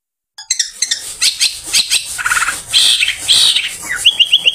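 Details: Long-tailed shrike after bathing, a song suited to luring other shrikes in the afternoon: after a short silence, a dense run of sharp chirps, trills and high whistled notes, ending in quick repeated upslurred phrases.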